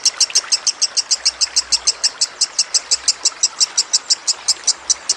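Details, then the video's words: Captive lovebird's rapid trill, recorded as training audio for other songbirds, set against gently trickling water: sharp, high, evenly spaced chips, roughly five per second, running continuously throughout. "Masteran Lovebird Kusumo + Gemercik Air"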